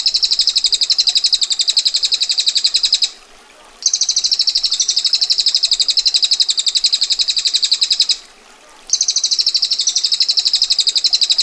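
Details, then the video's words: Female bar-winged prinia in ngetir style, repeating extended dry rattling rolls of rapid sharp ticks, each roll three to four seconds long, separated by short pauses of under a second. "Prenjak Betina Gacor Ngetir Rapat Tajam Kasar Roll Panjang"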